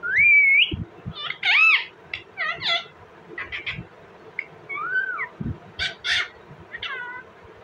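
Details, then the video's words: Indian ringneck parakeet, described as talking, giving a rapid run of varied calls: slurred rising and falling whistles, warbled chatter and meow-like wavering notes, with short pauses and faint low background noise. "indiain rinneck parrot talking,parrot sounds"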